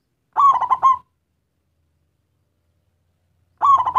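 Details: Lure song of a local zebra dove meant to call in others of its kind: clipped, bubbling cooing bursts of several fast notes, one near the start and another after about three seconds.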